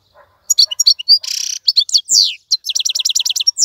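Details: Wild-caught caged European goldfinch in full song: quick tinkling notes, a drawn-out buzzy nasal note, a sliding whistle, then a fast rhythmic run of repeated chirps.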